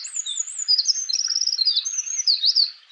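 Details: Japanese robin (komadori) singing in full voice in the wild: a fast, high, varied warble of whistled notes, slurred loops and short rapid trills running without pause.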